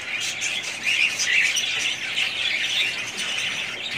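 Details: Budgerigars of one family flock chatter together, high scratchy warbling mixed with brief whistled chirps and squawks, louder for a moment near the start before settling into steady overlapping twitter.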